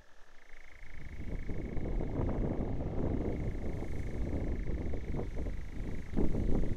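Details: Nightjar churring on Blackheath, Surrey, a continuous even purring trill at a constant pitch running throughout, partly masked by loud low rumbling wind or traffic noise that swells toward the end.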